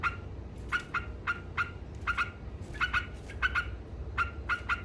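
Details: Yellow-vented bulbul in 'ngekek' style, a lively chatter meant to provoke rival birds: sharp doubled notes repeated at an uneven, rapid pace over a steady low hum.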